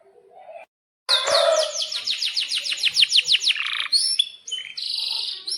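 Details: Lively canary in breeding mood, a long-rolling tutor singer: after faint low chatter and a short gap, a long run of rapid high swept notes, then buzzy trills and whistles.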